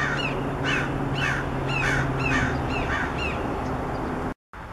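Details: Red-shouldered hawk delivering a rapid series of harsh, downslurred cries, roughly every half second, seven or eight in a row before a sudden cut. Steady low-pitched background noise throughout.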